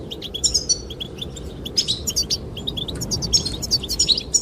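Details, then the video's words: High, liquid twittering from goldfinches singing to attract the female. Quick chirps and trills tumble together nearly without a break, with wind noise steady underneath. "the chirping of goldfinches"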